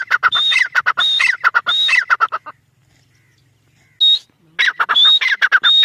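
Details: Grey francolin calling in bursts of harsh, high whistled and squeaky notes, broken by a silent gap of about one and a half seconds before the phrases return.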